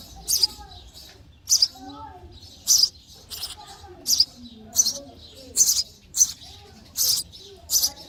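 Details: Baby sparrows calling for food in their nest during feeding: about eleven piercing high chirps in eight seconds, some doubled, repeated at an uneven pace with soft low sounds beneath.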